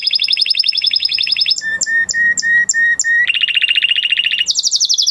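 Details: Male canary in full song, moving through several rapid trills: a fast high rolling trill, a run of repeated sharp chirps, a steady mid-pitched roll, then a higher buzzy trill.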